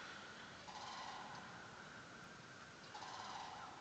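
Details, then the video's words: Sandhill crane in Michigan on 25 March 2013, early morning after a snow, gives two rolling, rattling trumpet calls about two seconds apart against a steady hiss. "Sandhill Crane Calls"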